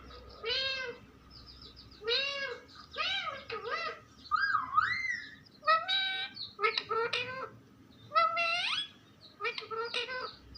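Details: Pet parrot speaking in a string of arched, harmonic syllables, about one burst every second or so, including one long wavering sweep in the middle, against faint background hum.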